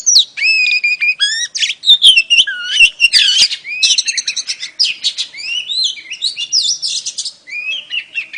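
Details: Female oriental magpie-robin calling to lure a male, singing a long, fast, varied sequence of whistles, chips, buzzy notes and downward slides, loud and uninterrupted.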